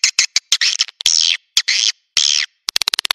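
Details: Swiftlet lure sound used to draw swiftlets to nests: harsh, buzzy chirps lasting a fraction of a second, broken by short sharp clicks, ending in a rapid run of dry ticks.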